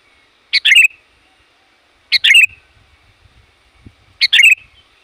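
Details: Sooty-headed bulbul calling to attract wild birds: three brief phrases, each a sharp opening note and rapid bubbly chatter, roughly every one and a half to two seconds, with faint low knocks between.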